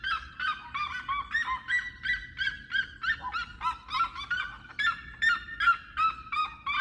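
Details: Fast, fairly steady series of loud yelping notes from red-legged seriemas, close to three a second, each note nasal and harmonic-rich, some dipping then rising in pitch, with a faint low-frequency hum behind.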